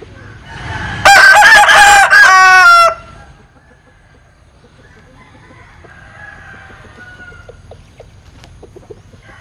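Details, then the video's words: A Linh Kê rooster crows oddly: one loud bout of quick choppy notes merging into a long hoarse sustained note, followed by several seconds of faint distant crowing and light clicks. "Tiếng Gáy Độc Lạ. Gà Linh Kê/ Strange Crow Sound"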